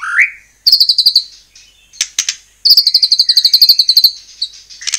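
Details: Lively song of a white-rumped shama, used to goad other shamas into singing: a rising whistle, a short fast high trill, a pause with clicks, then a longer rapid trill.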